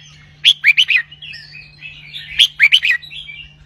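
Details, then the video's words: Caged red-whiskered bulbul performing a doubled 'berl roi' song: two matching phrases of four quick, bright whistled notes about two seconds apart, linked by soft warbles, with a low hum. "นกกรงหัวจุก (เจ้าตอก) เบิ้ลร้อยเพราะ ๆ"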